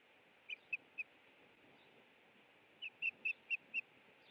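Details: Osprey at its nest in the afternoon of 30 April 2017 during a fish dinner, uttering short, clear whistled chirps: three evenly spaced, a pause of nearly two seconds, then five more, over steady background hiss.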